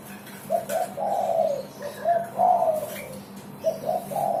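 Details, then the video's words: Spotted dove singing tirelessly, a sound used to lure and stimulate other birds: three cooing phrases, each with quick introductory notes then a longer falling coo, with a quiet hum behind. "SUARA DERKUKU GACOR"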